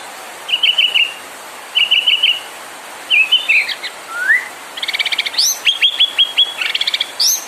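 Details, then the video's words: White-rumped shama (murai batu) giving a provoking song meant to make other birds sing: short bursts of quick rattling whistles separated by pauses, one slurred rising whistle, and a faint steady hiss behind. "PANCINGAN MURAI BIKIN CEPAT EMOSI | SHAMA BIRD"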